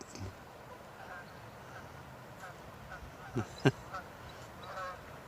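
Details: Geese honk in short nasal bursts amid ducks and other waterfowl calling all around on a fine April 19 day, with a couple of sharp louder honks near the end.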